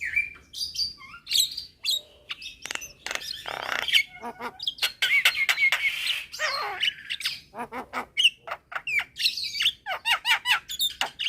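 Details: Javan mynas calling back and forth at midday after a young bird calls its companions; harsh squawks, fast rattling clicks and short whistles pile up in an almost continuous, busy chorus.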